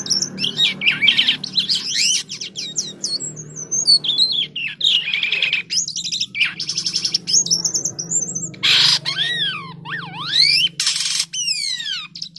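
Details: Common iora in full, lively song: a fast, varied stream of high whistled notes, with sweeping rising and falling slurs and loud bursts near the end, over a steady low hum.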